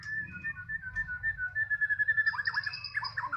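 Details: A Medan White-rumped shama sings in the afternoon with a rapid run of loud, evenly pulsed whistles that steps into high, sharp notes and quick chattering trills. There is a low hum underneath.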